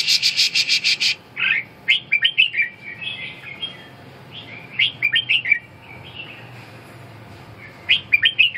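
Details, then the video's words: Red-whiskered bulbul song: after an opening second of dense, harsh buzzing, bright slurred whistled notes come in short groups of three to five, separated by gaps of quiet background. "Kênh về chim Chào mào"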